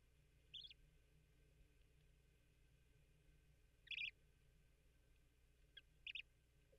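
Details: A newly hatched Bermuda petrel (cahow) chick in its nest, about a day after pipping, gives high, thin peeps in four brief, irregular bursts over a steady low hum, signalling hunger before its first feeding from its father, March 10, 2023.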